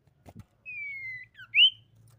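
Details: Common iora calls played as a lure for other ioras. After two soft taps comes a smooth slowly falling whistle, a short dropping note, then a loud rising slurred whistle.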